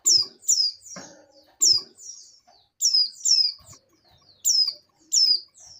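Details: Female oriental white-eye in breeding condition calling to the male: thin, high, sharply descending chirps given in quick pairs and threes, with soft low knocks and brief clatter between phrases.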